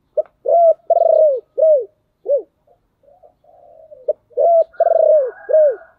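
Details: Decoy spotted dove singing a lure song meant to draw wild doves to answer quickly: loud, hollow coos in two bursts of about four notes each. A softer, wavering phrase sits between the bursts, and a faint higher tone is heard near the end.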